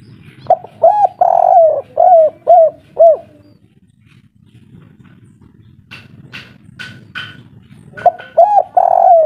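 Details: Noisy, agitated local spotted dove singing kuk 3 style: a rapid run of six throaty coos, a pause filled with sharp chirps from another bird, then three more loud coos, with low rumbling background.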